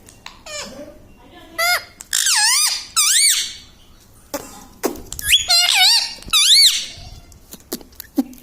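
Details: Pet talking parrot known for saying "Sita Ram" and "mummy papa": a series of loud, wavering, rise-and-fall syllables in several bursts, mixed with short sharp clicks and squeaks.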